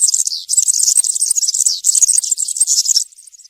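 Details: Forest recording of a European serin's campero song, meant for young birds to copy: a continuous shrill tinkling chatter that fades to quieter notes near the end.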